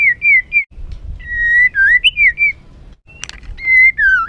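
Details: Agitated white-rumped shama singing as a provocation for other birds: clear, mellow whistles, some level and some swooping up and down, in short phrases broken by brief silences.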